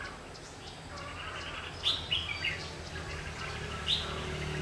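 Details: Decoy red-whiskered bulbul singing during trapping to provoke wild birds into fighting, 27 August 2019; a few sharp, quick whistled notes clustered mid-clip with one more near the end, over low constant background hum.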